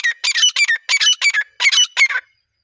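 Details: Harsh partridge calling, used for hunting to draw partridges in: a brisk series of loud, squawking, ringing notes in short groups, ending abruptly in silence.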